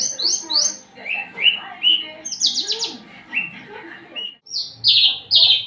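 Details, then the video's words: A Javan bush lark in mating condition, growing aggressive, sings sharp rising whistles and short buzzy rattles, with a brief pause before loud harsh notes at the end. "branjangan lagi over birahi minta kawin"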